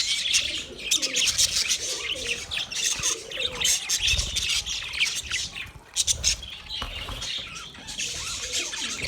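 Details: Budgies chatter continuously, a thick wash of sharp, tinny chirps and rapid twittering notes, punctuated by occasional louder squeaks and low thumping sounds.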